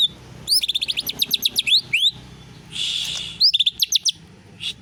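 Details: Greater green leafbird with canary-style song: a rapid volley of bright upslurred notes, a rising whistle, a rough buzzy stretch, then another quick chattering series.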